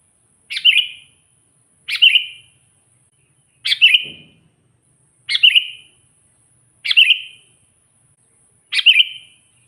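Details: Sooty-headed bulbul calling to draw wild bulbuls: six short, bright chirp-and-whistle phrases at a slow, steady pace of about one every one and a half seconds, with a single low thud midway and a faint high tone.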